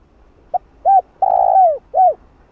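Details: Calling coo of a spotted dove, played to excite and train a decoy: a brief opening note followed by a short coo, a drawn-out vibrating coo sliding down at the end, and a closing downslurred coo; background otherwise quiet.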